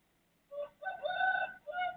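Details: Pre-dawn crow of a neighbour's rooster, 3:35 am, 18 December 2024: a brief first syllable followed by a strong drawn-out phrase and a lower trailing note, slightly softer, with faint low background hum.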